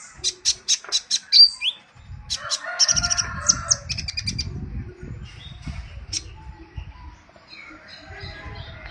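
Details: Sunbird singing for luring or provoking other birds: a rapid row of high ticking notes, then jumbled squeaky twitters and chips, with low rumbling handling noise underneath.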